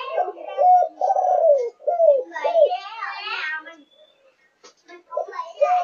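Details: Malaysian-line spotted dove aged five and a half months gives thúc gù cooing, a string of mellow looping coos with one long drawn note. A person talks briefly midway, then the coos resume.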